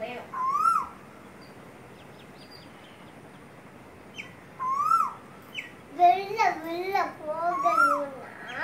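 A male Asian koel gives loud, rising whistled notes, repeating them faster and more urgently toward the end.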